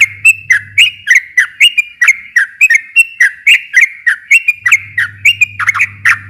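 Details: Sooty-headed bulbul in rapid, extended song used as a lure for a quiet bird. Bright whistled notes run about four per second with little pause, and a low hum sounds at the beginning and again near the end.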